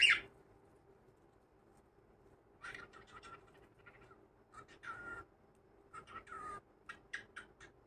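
A cockatiel chatters in short, scratchy bursts, mimicking speech-like phrases, over a steady low hum.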